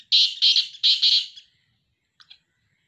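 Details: Black francolin calling: four loud, harsh, grating notes in quick succession, paired into two doublets, then brief silence and two faint short notes.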